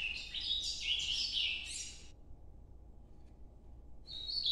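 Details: Ultramarine grosbeak song in the Nordeste style, noturno. A two-second burst of fast, slurred warbling notes, then silence, then the start of another bright phrase.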